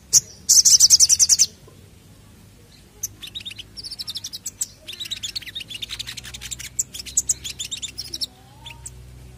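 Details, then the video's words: Crested jay lure recording: an intense, fast, dry rattle of closely packed high notes lasting about a second, then quieter running trills of chattering notes over several seconds. "Pancingan Sogon Ampuh Pancing Bunyi"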